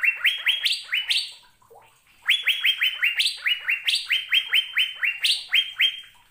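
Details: ['Asian fairy-bluebird singing vigorously on a recording used to train caged birds: rapid runs of liquid notes, each sliding upward and holding briefly, about five per second, with a few higher-pitched notes, broken by a short pause.']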